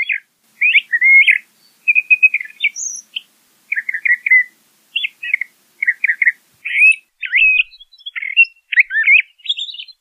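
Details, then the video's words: A LeConte's thrasher sings a continuous string of short mid-pitched phrases, slurred whistles, trilled chatters and a few clipped high notes, with little pause between them. "LeConte's Thrasher Song! LeConte's Thrasher Call - Cuitlacoche Pálido Canto"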